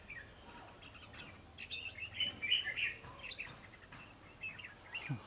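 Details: Recently wild-caught red-whiskered bulbul, described as singing diligently with fast song phrases; quiet, warbled chirping phrases at middle-high pitch, strongest mid-clip around two and a half seconds, with short bright notes before and after against faint background noise.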